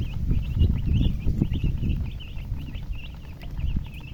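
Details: Chicks peeping in a steady run of short, bright, wavering chirps, roughly three per second, heard over a heavy low rumbling and thumping background.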